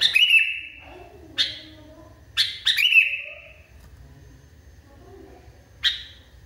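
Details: Extremely agitated sooty-headed bulbul: bright chirp runs trailing into sustained level whistles, separated by gaps of a second or more, with single sharp notes between; faint low hum behind.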